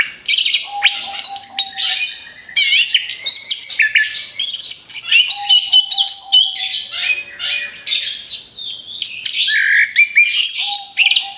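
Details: Rapid-fire orange-headed thrush song used to lure other birds: long unbroken torrent of high twittering, buzzy trills and sharp whistles in quick bursts, with a steady low hum beneath at times.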